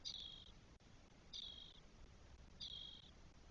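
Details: Spotless starling nestlings, four chicks aged 12 days, in a nest in Spain on 1 June 2022. Three hissing, rasping notes about 1.3 seconds apart, each with a slightly sharper start.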